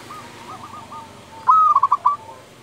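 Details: Local zebra dove singing in the fluting 'nyuling' style: a soft run of cooing notes, then a loud phrase opening with a clear rising-level whistle followed by four quick, stuttering coos.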